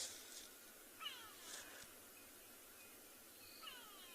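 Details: Grey go-away-bird giving its characteristic call on a chilly October afternoon at a South African game reserve, in riverine area near a rocky ridge: two nasal, downslurred, meow-like calls about two and a half seconds apart, over steady hiss.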